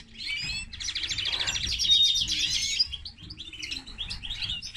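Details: Common linnet crossed with canary, a hybrid, singing a rapid, high, continuous run of twittering trills and buzzy warbled phrases, with bright whistled notes woven through and a brief drop in volume near the end.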